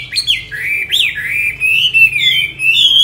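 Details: Tame caged Chinese hwamei in Hà Nội, Vietnam, singing a loud run of clear whistled phrases that slide up and down, with sharp rising notes early and a long wavering warble toward the end.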